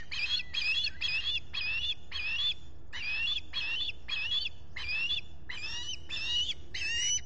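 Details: On 23 July 2021 at a nest in the Finger Lakes region of the US, with a visitor at the nest, an osprey calls without pause: about twelve ringing whistled chirps, each with a rising inflection, in steady succession.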